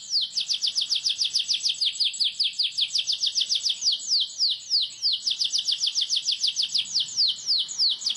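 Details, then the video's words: Canary singing a long rolling song for tutoring young birds: steady, rapid string of sharp high downslurred notes, evenly repeated without a break, briefly easing midway. "Rol Rapat EMOSI Cuit cuit Ngerol AMPUH utk Pancingan kenari paud belajar bunyi |kenari gacor panjang"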